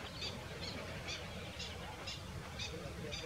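Common Shelduck giving a rapid series of short, nasal calls, about two per second, over steady low rumbling background noise.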